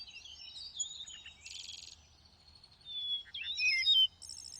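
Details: Song phrase of a thrush: a jumble of high warbled notes, a brief dense buzzy burst, then a pause and a louder run of sharp whistled notes with a high trill, over a steady low hum.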